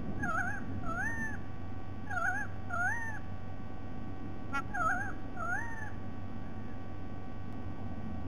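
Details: Repeated paired calls of a White-bellied sea eagle, dated 07 12 2020: four couplets of wavering, nasal notes, each an uneven quiver then an arched glide, spaced roughly every 1.5 seconds, one brief click midway, low rumble underneath.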